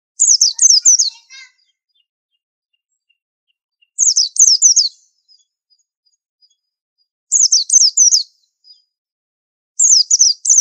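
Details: A white-eye repeats short phrases of four to five sharp, high, down-slurred chirps about every three seconds, each phrase followed by long silence.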